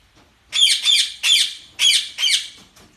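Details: Budgerigars give five harsh, scratchy squawks in quick succession, each with a bright buzzy twist, followed by a short faint chirp, heard close up.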